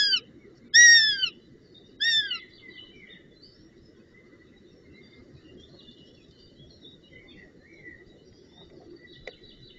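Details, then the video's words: Young northern goshawk at the nest at brunch on 25 June 2018, giving three loud, piercing whistled cries that fall in pitch within the first few seconds, then only faint scattered peeps over steady low rumble. "Havik Kuukie Aan De Brunch"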